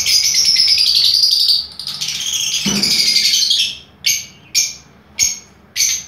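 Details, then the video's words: Lovebirds kept in an aviary of mixed colour varieties produce a sustained shrill, buzzy chattering for nearly four seconds, followed by four spaced, sharp squeaky chirps. "Love birds aviary"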